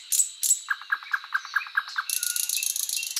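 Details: {'__c': 'Short burst of Thrush Nightingale song: two sharp high notes, then a steady run of about eight evenly spaced low knocking notes, ending in a fast buzzy rattle.'}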